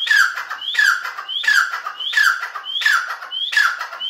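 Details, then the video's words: Grey francolin giving a steady series of loud harsh phrases, each a short rising whistle followed by a grating falling burst, six phrases in about four seconds. "Teetar awaz||Voice francolin||Partridge|| دکھنی تیتر||Teetar pukar"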